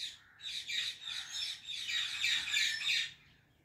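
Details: Female Indian ringneck parrot in a flowering apple tree: a continuous, moderately loud babble of scratchy, warbling chatter notes that swells and fades.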